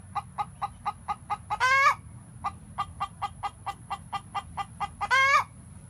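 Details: Hens' egg song after laying: a run of regular clucks about four per second, each series ending in a loud rising-falling squawk, the pattern heard twice over a constant high-pitched whine.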